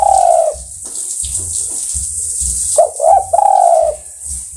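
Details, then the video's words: Low, soft coos of a spotted dove calling others of its kind: a drawn-out falling coo, a pause, then two quick notes leading into another long, smooth coo. "Sudah Teruji Tekukur Memanggil Kawan"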